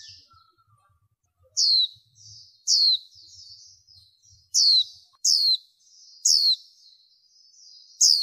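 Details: Lure call of a female warbling white-eye, denoised for the 2023 trapping season to rouse males. After a quiet start, six shrill descending notes come in quick succession, each followed by a thin, buzzy chatter.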